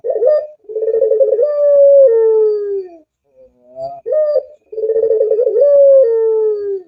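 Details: Repeated cooing from a puter dove: a short coo, then a long rapidly pulsed trill sliding into a sustained low tone that falls away, faint quiet notes, and the pattern again after a pause.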